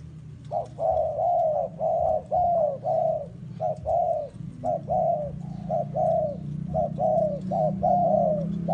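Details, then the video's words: Caged spotted dove readied as a trapping bait bird for the forest, cooing in a rapid series of short and drawn-out paired coos, roughly one a second, over low background hum. "A HOT SPOTTED DOVE AS A BAIT IS READY GO TO THE FOREST"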